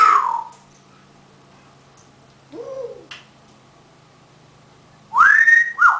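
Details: A pet African grey parrot, 18 years old, indoors, gives a loud falling whistle, a short mid-pitched warble near the middle, then two bright rising-and-falling whistles at the end.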